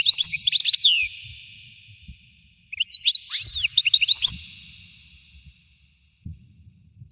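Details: European goldfinch song in two bursts of fast, sparkling twitters and buzzy slurs separated by silence. Faint low knocks are heard in the background.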